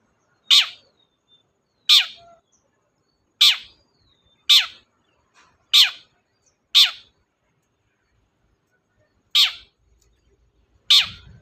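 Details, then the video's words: Long-tailed shrike, used as a lure for a shrike that will not sing. Eight harsh, falling rasps are spaced one to two seconds apart, with a longer gap before the last two and a soft low thump at the end. "BURUNG CENDET GACOR DOR, pancingan ampuh cendet gak mau bunyi"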